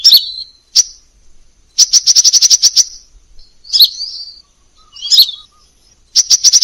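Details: Crimson sunbird tutor song with many variations: thin, high, sharp chips, a fast even run of about ten ticking notes, then slurred twittering phrases separated by short silences, on a clean background.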